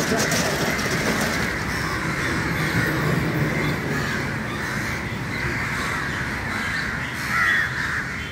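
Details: Crows crowding together at an early-morning gathering, many birds cawing at once in a thick, unbroken chorus; one slightly louder burst near the end rises above the steady mass of harsh calls.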